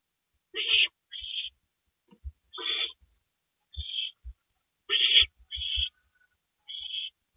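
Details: Owl calls during a night-time gopher delivery at 2:05 AM, April 27, 2012. Several rasping hiss-screeches come in quick pairs, some fuller and some thinner and hissier, with soft thumps and rustles between them.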